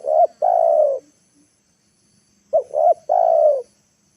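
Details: Spotted dove used as a lure to bring wild birds down to the ground, recorded in the late afternoon: two clear cooing phrases, each a short note, a quick middle note and a longer falling coo, separated by silence.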